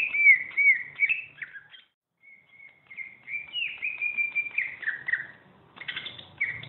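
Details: Greater green leafbird, champion songster used for tutoring birds, singing long sliding whistles and warbles, a brief gap, then a flowing series of slurred notes ending in a chirpy flourish.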